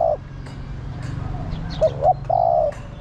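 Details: Female spotted dove calling the male: a low cooing phrase of two short rising notes followed by one longer, steady croon. The end of an earlier phrase opens the recording, with faint chirps from other birds behind.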